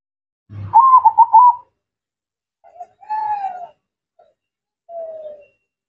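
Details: Zebra dove singing actively: one phrase opens with a rising note, then a quick bubbling run of short cooing notes around a steady pitch. It is followed by softer, lower, falling whistled notes and a brief low thump.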